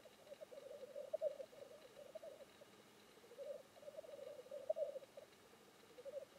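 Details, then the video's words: Black grouse displaying at a lek, heard at a distance: soft, continuous bubbling and rolling coos rising and falling in waves over a quiet background. "Le parate del fagiano di monte"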